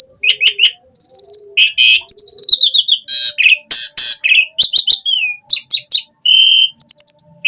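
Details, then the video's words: Continuous varied song of an Asian pied starling in gacor style, dense with chattering whistles, harsh rasps and steady tones, notes tumbling in quick succession. "Suara Jalak Suren Gacor Full Isian ANTI MACET Saat Musim Hujan/Kemarau Pancingan TERAPI Burung Jalak"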